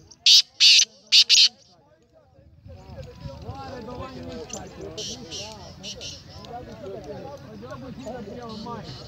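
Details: Kala teetar, the black francolin, on 19 April 2020, gives a burst of four loud grating notes in quick succession at the start. Steady background chatter of people's voices follows.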